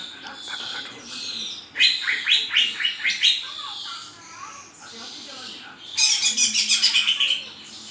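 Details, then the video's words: Cucak ijo song with a quick series of sharp, repeated high notes about four per second, softer warbling in between, and a final dense burst of rapid rattling notes; faint background murmur. "#cucakijo #kicaumania #burung #hijau"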